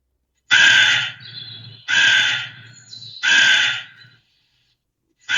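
A crow gives three harsh, hoarse caws, each about half a second long and spaced roughly every second and a half, with a softer rasp trailing each one.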